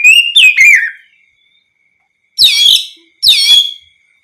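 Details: Ngeplong song of an Oriental magpie-robin, played to coax other magpie-robins to sing back. It opens with a short burst of falling whistles, then after a long silence two separate bright, descending whistled notes follow.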